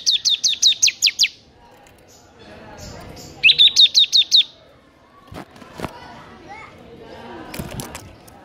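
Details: Two rapid bursts of high repeated chirps from a bar-winged prinia, about seven notes each, in the loud continuous ngebern gacor style, followed by scattered faint clicks and low background noise.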